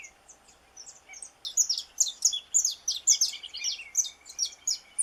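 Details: Scattered soft notes at first, then a saffron finch of Brazil launches a loud, rhythmic run of high chirps and downslurred whistles lasting several seconds.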